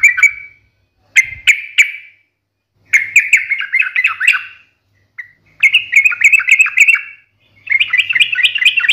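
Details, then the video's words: Sharp-toned sooty-headed bulbul song in the 'ngalas tajam tarung' style: isolated chirps, then repeated rapid chattering phrases of one to two seconds, each separated by brief silences. "KICAU SUARA trucukan gacor NGALAS TAJAM TARUNG ini MENJADIKAN burung trucuk gacor NYAUT SEKETIKA"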